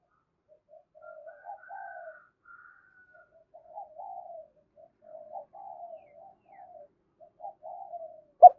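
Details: Spotted dove cooing, used to provoke and lure a wild rival dove. Quiet, soft coo phrases repeat across the recording: short hoarse notes and a longer wavering coo, with a fainter higher coo overlapping early on. A sharp click sounds at the end.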